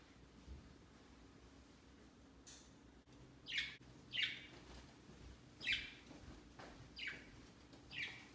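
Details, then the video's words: Indoor pet budgerigars perching in a Christmas tree placed by their cage on Christmas Day, celebrating their first Christmas; after a quiet start, six crisp, high chirps sound about once a second with a steady low hum behind. "Budgies Flocking on A Christmas Tree 圣诞树上的小鹦鹉"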